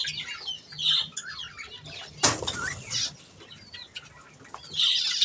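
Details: Budgerigars feeding on softfood twitter in high scratchy notes; a sudden broadband rustle or flutter breaks in near the middle, then warbling chatter resumes strongly at the end.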